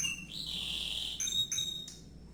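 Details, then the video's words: Canary singing a short fragment: a long sustained whistled tone, then brief clipped notes breaking off into a thin high fading whistle. "kenari mirip sang legenda tc1"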